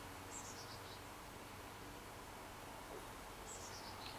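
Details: Chickadee chicks calling as two of a brood of four leave the nest, May 24th, 2015: two quiet series of high notes stepping downward, one near the start and one near the end, over steady hiss.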